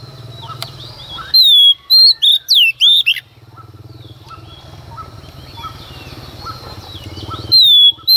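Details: Female Oriental magpie-robin singing in the early morning to provoke males: a loud burst of clear, sweeping whistled notes around 1.3–3 seconds, another at the end, over faint distant chirps and low hum.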